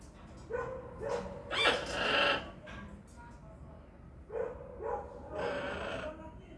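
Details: Pet parrot making weird noises, a series of harsh, nasal squawks and honks, some drawn out and rasping, in two clusters separated by a brief pause.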